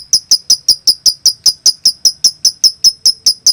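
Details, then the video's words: Lovebird konslet song for drawing replies from other lovebirds: sharp, bright ticking chirps at a steady quick pace, each note short and high with a hard attack. "Masteran Suara Lovebirds Konslet"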